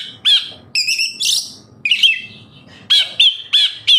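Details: Oriental magpie-robin song used as a singing lure for caged birds: scattered harsh, squawky notes and clear whistles separated by gaps, ending in a quick series of sharp repeated notes.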